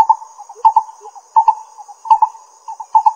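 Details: Lesser coucal (Centropus bengalensis) in Pingtung County, Taiwan, on 22 May 2016, gives hollow, mid-pitched notes in quick pairs, repeated roughly every 0.7 seconds, over a steady high insect drone.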